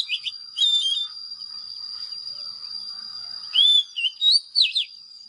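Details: Oriental magpie-robin with a few brief whistles early, then a quiet stretch, then a cluster of clear slurred and looping notes, over a persistent thin high whine.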